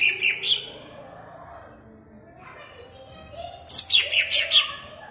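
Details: A greater green leafbird (Chloropsis sonnerati) from Jatirejo, Ampelgading, Pemalang, is played to rouse other leafbirds. It sings quick bursts of bright, high chirps and warbled whistles: a brief opening phrase, a quieter pause, then a livelier run near the end.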